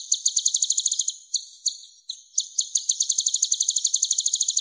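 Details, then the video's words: Masteran recording of kolibri ninja, the purple-throated sunbird Leptocoma sperata, with a clear voice: fast, very high trills interrupted in the middle by sharp separate notes and a short thin whistle. "MASTERAN KOLIBRI NINJA Suara Bening"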